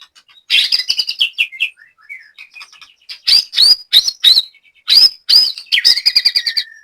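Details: Caged white-rumped shama at a training session in Banyumas, Central Java: high rapid twittering runs with soft falling warbles between, then sharp repeated chips ending in a lower trill.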